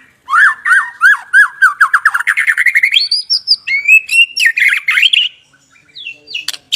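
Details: White-rumped shama singing a quick series of repeated falling whistled notes that speed into a trill, then higher sustained whistles and jumbled chatter, ending in quiet with a few isolated high notes.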